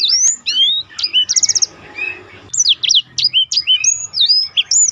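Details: Black-throated canary in rolling song, used to tutor contest birds, mixing slurred whistles, a fast trill, a brief softer passage and a dense run of looping high notes.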